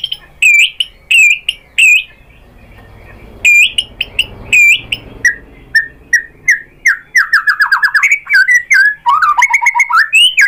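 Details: White-rumped shama singing to provoke other birds to sing: spaced loud high whistles at first, then a faster run of repeated short notes and swooping whistled phrases, with faint background hiss.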